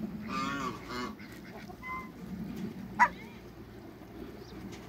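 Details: In a backyard, Toulouse geese (two ganders and a goose) utter two harsh, harmonic honks close together within the first second, followed by quieter scattered sounds and one short sharp note.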